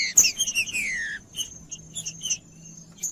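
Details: Green-winged saltator macheando song for warming up a bird: a sharp high note opens a short burst of descending whistles lasting about a second, followed by scattered soft high chips and a steady faint tone.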